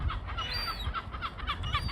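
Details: A single gull among ducks on water in Norway, 9 September, screaming while eating a small fish. It gives a strange rapid run of short, nasal, honking notes, about four each second, over a low rumble of wind or handling noise.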